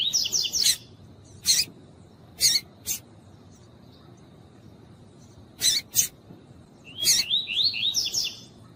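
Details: Double-collared seedeater, female calling to excite a male: scattered sharp broadband chip notes spread over several seconds, with brief rapid warbled whistled phrases at the start and end, and a faint steady high tone throughout.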